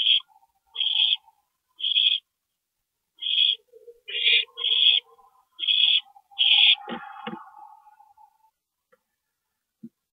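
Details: Owl nest during a parent's 2:40 AM stopover on April 22, 2012: a rapid series of eight raspy hisses, then scuffling thumps and a fading, lower chattering murmur.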